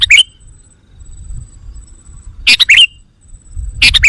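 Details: Sooty-headed bulbul lure call, used to excite wild bulbuls: three loud bursts of bright, chattering notes with a slurred whistle, about every 1.5 seconds, over a low rumbling background and a faint thin high whine.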